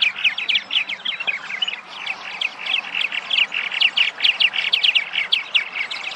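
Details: Purple martins arriving in spring at nesting sites in Massachusetts after migration, giving dense, overlapping chirps and gurgling notes at a quick, irregular pace of over two per second, several birds calling together.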